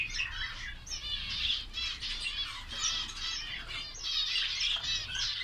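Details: Budgerigar chick calling: a raspy, warbling chatter of fast trilled notes in near-continuous bursts with only brief gaps, and a faint low hum underneath.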